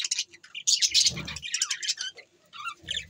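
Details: Budgerigars recorded December 22, 2023, giving bursts of high, scratchy chirps and warbles in short clusters, broken by brief pauses and low fluttering thuds.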